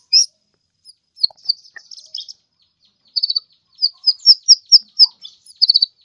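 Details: Kolibri ninja sunbird in full song, a tutoring recording: spaced high chirps and short twittering bursts, building into a series of loud piercing notes near the end.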